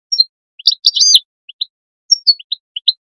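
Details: European goldfinch calls meant to stimulate goldfinches into song: high chirps with a dense buzzy twittering burst near one second, then separate descending and paired notes; quiet background.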